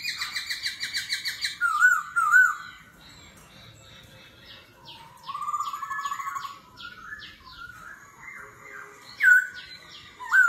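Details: Laughingthrush singing in forest-voice style during a singing duel, voice changing continuously in the water-pipe-drag manner: a fast run of rich repeated notes, then scattered chirps and a mid-pitched warble, ending with bright upslurred whistles.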